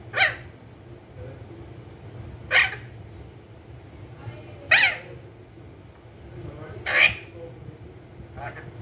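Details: Talking green ringneck parrot kept as a pet, uttering four loud raspy screeches roughly every two seconds, then a softer fifth, against constant low room hum.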